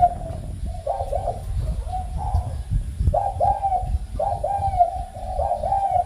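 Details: A spotted dove that has just started cooing gives soft, mellow bowing coos in short repeated phrases, with music in the background.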